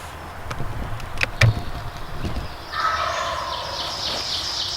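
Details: Wild turkey tom, a big woods gobbler pursued during the 2019 spring turkey season in Pennsylvania, gobbling: a rough, rattling burst in the second half. Nearby rustles and clicks come before it, with steady background hiss throughout.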